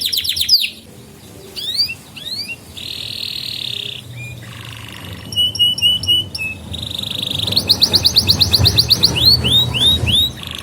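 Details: Varied canary song for training young birds: upswept chirps, a steady buzzy trill, a brief low warble, crisp paired whistled notes, then a fast pulsing trill ending in loud rising swoops, over faint background noise.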